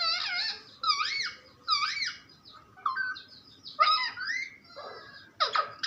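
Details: Talking parrot, called mitthu locally, giving a run of harsh, harmonic syllables with wavering rising-and-falling pitch, spaced about a second apart, ending in sharper squawk-like notes; indoor room sound, no other voices.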